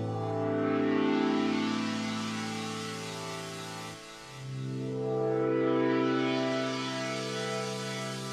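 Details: Sustained synthesizer chords swell and fade, with no animal sounds present.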